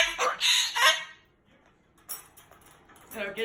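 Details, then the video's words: Angry Moluccan cockatoo talking and cursing loudly, a bird described as not wanting to go home after an overnight stay; harsh, honking bursts of squawky speech in two loud phrases around a quiet gap, with clattering kitchen-like sounds. "He's talking and cursing LOUD and funny"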